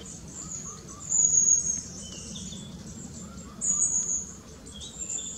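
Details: Young long-tailed tit newly fledged from the nest, moving ceaselessly between trees while feeding; two loud, thin, very high drawn-out calls about two and a half seconds apart, with softer high notes after, over quiet background.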